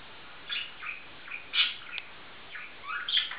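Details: Two male budgerigars kept as an affectionate pair give a few short, scattered chirps and squeaky notes separated by brief pauses, against a quiet background.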